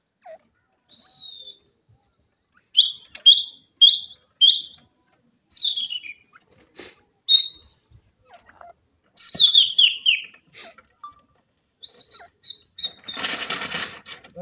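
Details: Grey francolin, known as Dakhni teetar, recorded in a setting of catching wild birds and breeding them; loud whistled notes, a run of four short rising whistles, then a descending string of calls and a burst of noise at the end.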